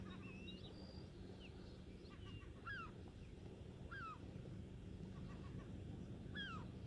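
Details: A Piping Plover family with two 3-day-old chicks foraging on exposed rocks during a falling tide: soft, clear, downward-slurring whistles every one to two seconds, with thinner high peeps between, over steady low wind or surf rumble.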